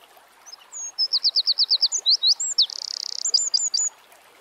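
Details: Eurasian wren (Troglodytes troglodytes) singing in the wild: a loud, high, rapid burst of repeated sharp notes, then a fast buzzy trill, ending in a few clipped chips, over a quiet rural background.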